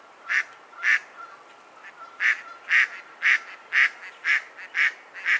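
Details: Loud, rasping mallard quacks repeat about twice per second, with a longer pause early on.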